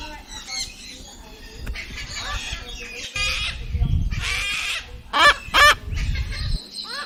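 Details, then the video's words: A cockatoo gives harsh, scratchy squawks and raspy chatter, with two loud screeches near the end, over a low background rumble and possible voices. "Cockatoo Sound (parrot species) | Cockatoo singing Sounds"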